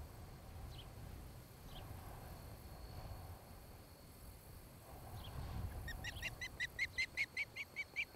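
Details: Osprey at a nest cam in Charlo, Montana, on 26 July 2018 around 5 pm: after a few faint scattered chirps, a quick, evenly spaced run of sharp whistled chirps starts near the end over low wind rumble.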